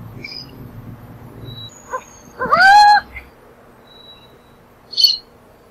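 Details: Burrowing owl giving one loud, nasal whining call of about half a second, with a few soft clicks and a short high chirp nearby over low background noise.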